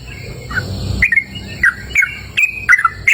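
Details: Yellow-vented bulbul singing in open countryside: a few brief, liquid, slurred notes spaced irregularly, with low rumbling background noise at first and a steady faint high hum throughout.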